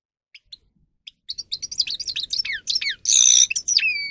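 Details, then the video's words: Grey-crowned goldfinch singing for training: a few scattered soft chips build into a rapid twittering series, broken by a harsh buzzy rasp, then clear downslurred whistles close the phrase. "Goldfinch song Best for training"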